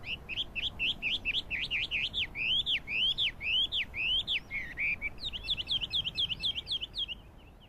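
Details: Chinese hwamei song recorded on 12 April 2009, a rich run of loud whistled notes, each a quick up-and-down slur repeated about twice a second, shifting to faster higher bursts near the end.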